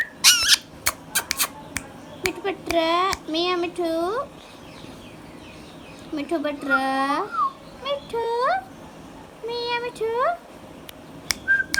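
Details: Hand-tame pet Indian ringneck parakeet talking: bursts of speech-like babbling with nasal, harmonic syllables in phrases of one to two seconds, separated by pauses, plus a few sharp clicks and a final thin whistle.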